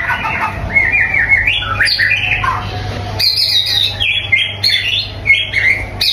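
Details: White-rumped shama singing a long, varied phrase. Warbled, looping whistles rise and fall, then sharper, higher notes come in bursts, over a faint hum.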